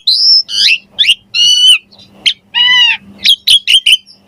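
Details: Lively gacor song of a Javan pied starling with varied fills: a long high whistle, then nasal, harmonically rich squawking notes alternating with brief chipping calls.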